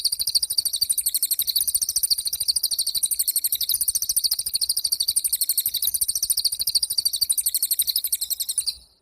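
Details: Pied fantail in full song: a long, continuous, fast trill of piercing, high, repeated notes held for about nine seconds, then fading out.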